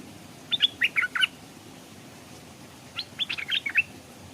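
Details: Stripe-throated bulbul (locally called nok dok taeng) used as a caged decoy bird hung beside a stream, where wild birds came but would not come down. Two quick bursts of bright, chirpy, up-and-down notes, about a second apart from each other, over a quiet background.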